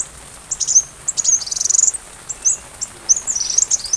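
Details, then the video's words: High-pitched sunbird song meant as tutor material for a white-rumped shama, with rain: a busy run of thin whistled slurs and quick ticking notes that keeps returning through the passage. "Masteran Rajanya Isian Kolibri"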